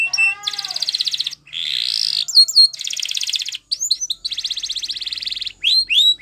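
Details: Timbrado canary from Spain singing a training song: falling whistles and a quick trill, a buzzy held roll, doubled downslurred notes, then long even trills broken by clipped whistled notes.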